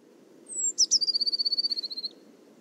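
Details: Eurasian blue tit singing: a thin, high whistled note sliding down, two sharp higher notes, then a fast even trill of about fourteen bright notes lasting over a second, over a low steady background hum.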